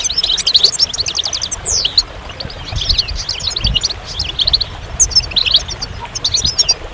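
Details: Goldfinch singing a fast, tinkling twitter of high, sharply slurred notes in dense bursts, with a brief pause near the middle and a low rumble of background noise.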